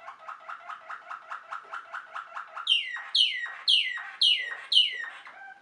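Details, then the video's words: Waterslager (Malinois) canary singing: a steady run of evenly spaced rolling notes about five per second, then a series of louder, falling whistled swoops. "Waterslager canary singing"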